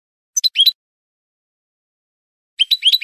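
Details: European goldfinch singing in the Spanish style on a training recording for cage birds: two brief clusters of three or four quick liquid twitters, separated by about two seconds of quiet.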